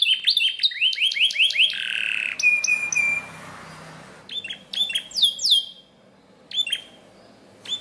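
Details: Green canary training song, meant to get canaries singing nonstop. It opens with rapid rising whistled notes in quick series, then a sustained rolling buzzy trill. After a soft pause come short sweeping whistles and clipped chirps, with faint low background hum.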